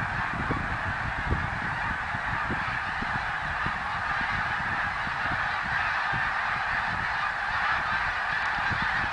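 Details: A great gathering of snow geese, 2014, calling nonstop: layered high nasal honks blend into an even roar, peppered with faint short low knocks.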